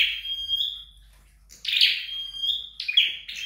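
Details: Flowerpecker at home: a long, thin, steady high whistle, then buzzy high chirps that again trail into a level whistled tone.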